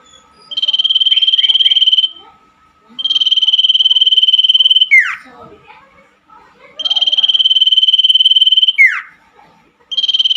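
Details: Night recording of common iora song for caged birds that stopped singing: repeated drawn-out pulsed trills, roughly two seconds each, finishing with a descending slide, with soft scattered noises between phrases.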